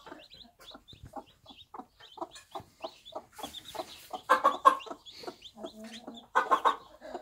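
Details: Backyard bantam hen with her one-day-old chicks on a small farm: soft low clucks repeated roughly twice a second, thin high chick peeps scattered above, the clucking swelling louder and busier toward the end.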